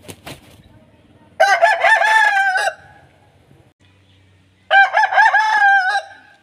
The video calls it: Aseel Rooster Crowing Machine | Rooster Crowing Sound Effect | aseel murga ki aawaz